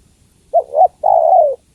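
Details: Spotted dove female calling to a male, one low cooing phrase of two brief rising-falling notes and then a drawn-out coo sinking gently at its end, otherwise quiet.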